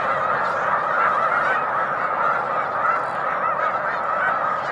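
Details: Continuous clamour from a big flock of snow geese resting on Cayuga Lake, afternoon of 20 March 2021, overlapping honks blending into one unbroken roar.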